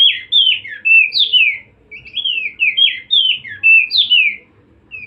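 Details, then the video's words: White-eye (opior) song used as training audio for songbirds: a rapid, continuous chatter of high, sweet warbled and slurred whistles, rising and falling notes strung together with brief pauses, clean with no other sounds. "full masteran burung opior"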